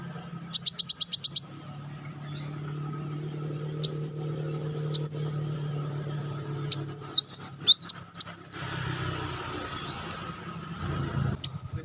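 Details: Kolibri wulung sunbird giving its crecetan song: an opening rapid high trill of about ten notes, then scattered thin high notes and a busy twittering chatter burst near the end, over a low steady hum.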